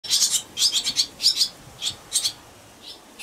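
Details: Four barn swallow nestlings in a nest at dusk on 8 June, calling together in a chorus after one fallen chick returned: shrill, high, scratchy chirps in rapid overlapping bursts, coming in clusters about every half second, against a quiet background.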